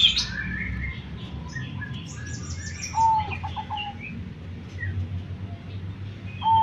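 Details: One full zebra dove phrase of a long note and a quick run of short coos, with another starting at the end, amid chirps, trills and whistles of several other birds and low rumble.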